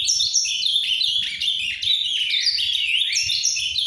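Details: Azulão, the ultramarine grosbeak, a captive bird singing quietly in the Paraná manner: an unbroken, rapid warble of bright whistled slurs, rising and dropping without pause throughout.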